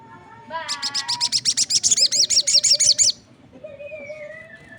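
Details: Crested jay giving a long call as other birds answer: a rapid series of about twenty clipped, bright notes rising into a buzzy rattle over three seconds, followed by a softer drawn-out whistle.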